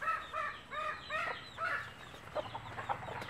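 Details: Native country hen with chicks, calling her babies to food; a soft series of short, falling, tonal notes repeated about every half second, then scattered quieter clucks over a low rumble of background noise.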